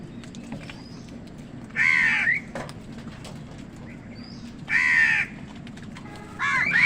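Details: Harsh, ragged crow caws about three seconds apart, given by crows fighting wild birds for food, with faint thin chirps and a low hum in the background.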